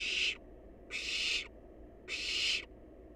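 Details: Wild barn owl nestling feeding on leftovers gives three harsh, breathy hissing screeches, each about 0.4 seconds long and spaced roughly a second apart, with a low steady background hum.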